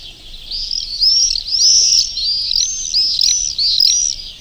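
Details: Several swifts, residents of churches, scream over the Urdaibai marshes on a May 2020 afternoon; piercing arched notes run in quick succession, strongest in the middle and fading at the edges, with no other clear sounds.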